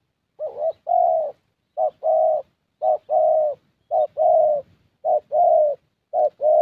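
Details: ["Spotted Dove, a young 'thổ' bird, cooing at a decoy session in Gia Lai, Vietnam: seven regular, mellow phrases in quick succession, each a short lead note joined to a longer rounded coo."]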